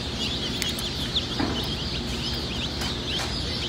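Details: A group of Easter Egger chicks gives steady high-pitched peeps, many quick falling notes crowding over one another without pause.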